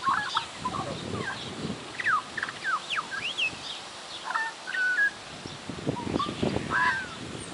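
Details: Horse impression by a semi-tame magpie in a garden: varied whistled slurs, some sharply rising or falling, scattered across the clip between dull low thumps and rustling background noise.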